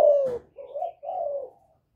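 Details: Spotted dove in the Thổ voice, calling to provoke wild males: a falling hoarse coo followed by two drawn-out, gently rising then sinking notes.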